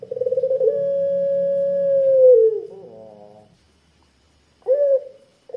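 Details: Thick, long 'kwook' coo of a Barbary dove, known locally as puter pelung and used to lure other doves: a rolling start leads into a long even tone that slides downward, then a short note follows after a gap.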